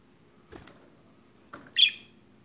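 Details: A pet budgerigar reacting to a phone gives a single short, scratchy chirp after two faint clicks.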